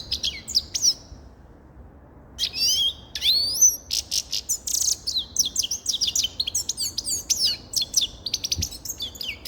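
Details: Grey-crowned goldfinch singing: a quick, liquid twitter of high tinkling notes and sharp upslurred chirps. A brief pause after the opening phrase, then dense rapid trills to the end. No other sounds are heard.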